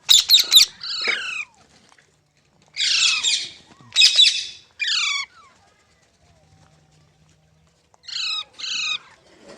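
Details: Green parrot, called mitthu or tota, giving harsh raspy squawks in short bursts, several with falling buzzy strokes, separated by silent pauses of one to three seconds.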